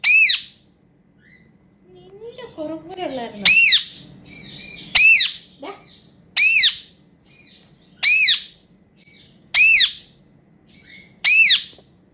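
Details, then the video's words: Pet Indian ringneck parrots at playtime making happy sounds: a soft low warbling chatter, then a steady series of seven sharp, shrill arched screeches roughly every one and a half seconds. "Talking Indian Ringneck Parrots Making Happy Sounds"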